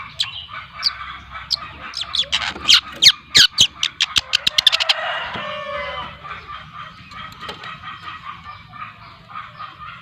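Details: Long-tailed shrike, trotol type from Lampung, two months old: scattered notes build into a fast rattling series of harsh clicks, then fade into a soft continuous chattering warble.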